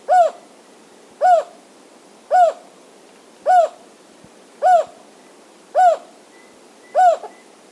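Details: Jocotoco antpitta (Grallaria ridgelyi) call at Tapichalaca Reserve, Valladolid, Zamora-Chinchipe, east slope of the Ecuadorian Andes: seven short, low, hollow, slightly arched hoots repeated steadily about once a second over a quiet background.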